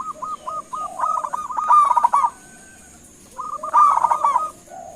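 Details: Local zebra dove calling energetically so other birds reply: a run of evenly spaced short coos speeds into a loud rolling burst, then the pattern starts again, against a faint steady high tone.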